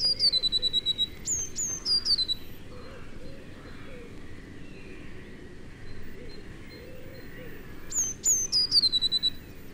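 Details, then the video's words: Blue tit singing in a British broad-leaved wood, mainly from late January onwards: two high, thin introductory notes then a quick descending trill, given twice, higher-pitched than great tit song, over faint woodland hiss. "Mainly from late January onwards, the blue tit sings a higher-pitched song."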